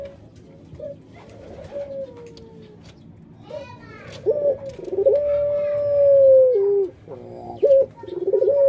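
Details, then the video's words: Captive puter dove singing pelung coos: faint, broken cooing first, then a loud rolling run into a drawn-out level note ending in a downward step, followed by another rising yelp. "Puter Pelung"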